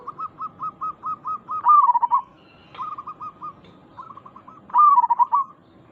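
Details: Zebra doves cooing as a lure so others reply: a row of quick hooked notes leading into a loud rolling descending phrase, a quieter run, then a second loud rolling phrase near the end.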